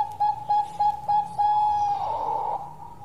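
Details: Perkutut Bangkok zebra dove singing its long song, several short clipped coos in steady rhythm leading into one drawn-out level note, with a hiss of background noise near the end.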